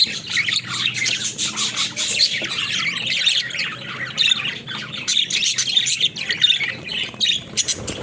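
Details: Playful caged budgies keep up dense, nonstop chatter: grating squawks, quick chirps and warbled twitters layered from many birds, fairly even in loudness throughout.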